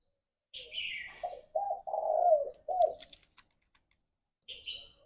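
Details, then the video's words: Quieter spotted dove morning song for prompting mating: a phrase of four rolling coos with a long sliding middle note, while high chirps from other birds sound at the start and end. "Tekukur Gacor Suara - Pancingan Pagi Paling Ampuh Naik Birahi"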